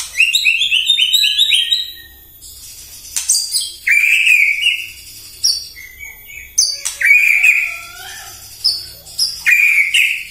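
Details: White-rumped shama in full morning song meant to provoke other birds: a rapid ladder of rising whistles, then loud fluty phrases punctuated by sharp clicks and high chips.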